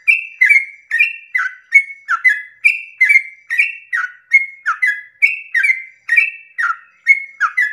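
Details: Long 'ropel' song of a yellow-vented bulbul at dawn, meant to get other bulbuls singing; an even, continuous chain of gurgling whistled phrases that alternate between a higher note and a lower one, with nothing else heard.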